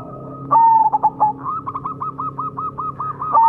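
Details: Majapahit perkutut zebra dove song used as a lure: a loud whistled note dissolving into quick stuttered coos, followed by a long even run of clipped repeated coos from another dove, then the whistle starting again.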